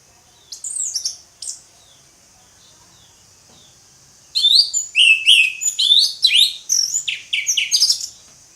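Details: Ngeplong song of an orange-headed thrush. A couple of sharp high notes are followed by silence, then a rapid run of loud, varied whistles and chirps, about two per second, over a continuous high hiss.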